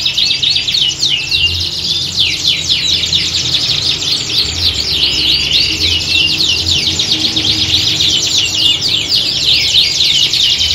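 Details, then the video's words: Many canaries singing at once, recorded to build competition readiness; a relentless wall of high-pitched trills and quick chirp sequences, some rolling passages, with a low steady hum beneath. "Kicauan Squad Kenari Siap Gantang!"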